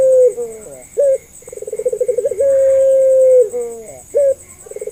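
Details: Puter pelung dove lure call to draw answers from quiet or learning doves. A falling coo and a short clipped note precede a run of throbbing pulses. The pulses give way to a long, steady, held tone, and the pattern then repeats. A faint high whine is present.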